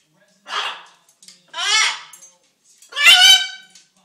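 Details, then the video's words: Hungry pet macaw calling for attention, loud raspy talking bursts: three separate harsh, harmonic utterances about a second apart, the last the strongest, in a quiet indoor room. "The Talking and Dancing Macaw"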